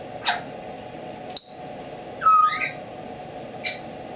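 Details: Female Timneh African grey over 20 years old, a former wild-caught breeder settling into a new home, calling from a cage with a curtained retreat; brief harsh bursts, a clear steady whistle and a quick chatter against constant indoor hum.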